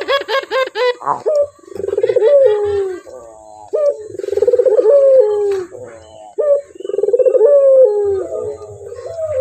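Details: Male puter, the Barbary dove, giving clear coos: after a few short stuttered notes, long rolling purring coos near a low steady pitch, each about two seconds, repeated with brief pauses.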